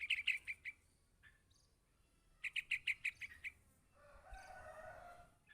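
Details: Young yellow-vented bulbul calling for its parent, giving two bursts of quick, sharp repeated chirps, five then seven notes, separated by a short pause, followed by a soft rushing noise.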